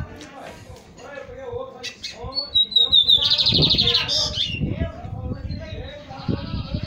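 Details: Lined Seedeater, a young promising male coming out of moult, gives scattered chips, then a high whistled note leading into a rapid buzzy trill and a rising whistle, over low murmuring voices.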